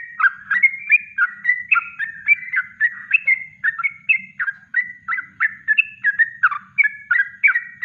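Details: Natural kongslet song of a yellow-vented bulbul, kept as a master recording for training birds: a loud, unbroken stream of bubbly, gurgling whistled notes, about three per second, each sliding up and down, over a faint low hum.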